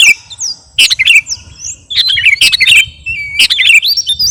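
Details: Garuda kutilang sooty-headed bulbul singing for training captive birds: sharp clicking chirps mixed with smooth gliding whistles that rise and fall, a few spaced bursts over four seconds.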